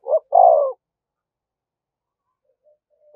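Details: Spotted dove used as a decoy, cooing nonstop to incite fighting: a short low note then a longer hoarse coo, a pause of quiet, and another coo just beginning.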